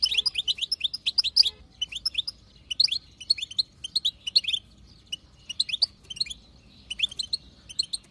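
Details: High chattering of a wild female European goldfinch, used to push a male into song: quick trills of chirps in groups, separated by brief gaps, including a quiet stretch near the fifth second.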